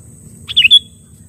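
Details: Sooty-headed bulbul, used as a lure to call and challenge rival birds: a single short bright phrase of two or three quick notes, falling slightly at the end, over a faint steady low hum.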